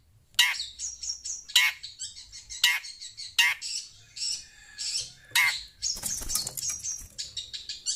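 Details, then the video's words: A shrike gives chatty, harsh, scratchy bursts about once a second, mixed with rapid high chattering and squeaky notes, while hearing sound played from a phone. "Burung pentet cerewet"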